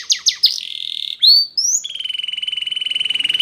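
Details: Spanish Timbrado canary training song: a few sharp notes into a held tone, two rising whistles, then a long, fast, steady trill at even pitch.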